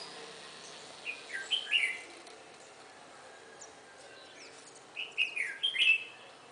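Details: Red-whiskered bulbul near a house giving two short bursts of bright, lilting chirps, about four seconds apart, over a faint background hiss.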